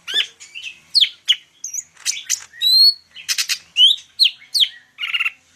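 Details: Cucak ijo, the greater green leafbird of the Medan type, singing a packed medley of rising whistles, quick upslurred chirps and harsh buzzy bursts, each note short and bright with little pause between them.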